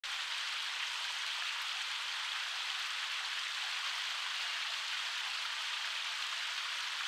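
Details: An even hiss of rain or flowing water covers the clip, and no bird song stands out.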